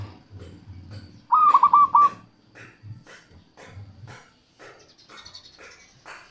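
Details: Local zebra dove song used as a lure for wild doves and to prompt lazy birds to sing: one short burst of rapid staccato cooing notes, over soft low thumps and scattered background clicks.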